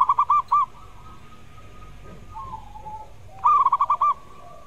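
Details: Zebra dove singing as a lure for birds that rarely sing: a staccato run of rounded notes, a soft low coo, then another crisp burst of about seven quick pulsed notes.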